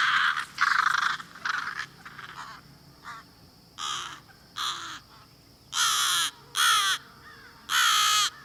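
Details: American crow mobbing call: loud, harsh caws repeated roughly every second, summoning other crows to help mob a predator; fainter crows call and approach in the background.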